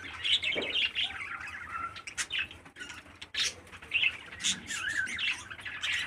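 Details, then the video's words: Irregular short squawks and chirpy rasps from a 13-day-old parakeet chick kept by a breeder. A few clicks and soft rustles sound between the bursts. "Meet my 13 day's old baby parakeet"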